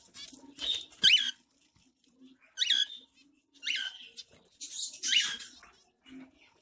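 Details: Zebra finch calling while bathing in summer in Pondicherry: short nasal, buzzy beeps repeated four to five times at irregular intervals of one to one and a half seconds, with faint rustling between them.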